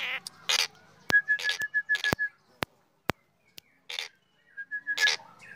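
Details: Black drongo in full morning song: rasping noisy bursts mixed with a quick series of clear beaded whistles on one pitch, plus several sharp clicking snaps in between.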